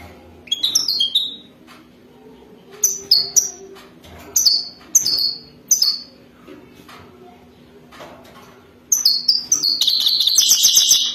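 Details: Wadani-style mating song from a European goldfinch, delivered in short bursts of sharp, falling, high notes separated by pauses, ending in a continuous bright buzzy twitter; faint low background hum.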